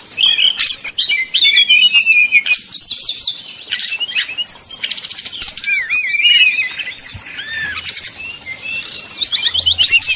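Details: Brown-chested jungle flycatcher singing flute-like 'nyuling' phrases as a lure for rivals; long descending whistled slurs, rapid buzzy trills and looping notes, loud early, softer and sparser after the midpoint.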